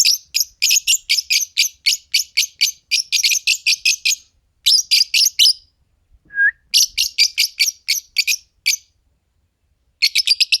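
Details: Chirping from a green Fischer's lovebird pair: long, rapid trains of shrill, buzzy notes about four a second, broken by one short pure whistle, then more fast chatter.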